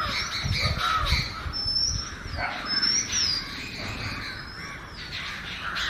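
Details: Oriental magpie-robin in natural song: bright, arching whistles repeated in a loose series every second or so, set against a constant busy mid-pitched background of other calls and low rumbling.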